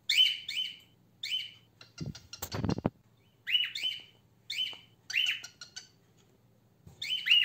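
A female cockatiel gives harsh, rising chirps in short bursts, with a brief rustling noise midway.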